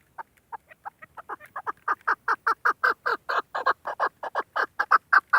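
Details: Hunting female chukar partridge calling: faint, spaced clucks that quicken and grow louder into a rapid, rhythmic chain of harsh chuck notes, roughly two per second, with nothing else audible.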